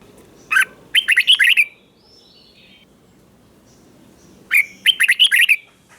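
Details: Red-whiskered bulbul from Thailand singing a southern-style master phrase, used to stimulate caged birds or tutor young ones: two bursts of quick, bright, bubbling whistled notes separated by about three seconds of quiet hiss.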